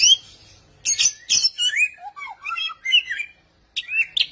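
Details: Unnamed bird, described as a strange species with a frightening singing voice. Its song mixes bright, varied chirps and squawky notes with rising and falling whistled slurs in bursts separated by short pauses.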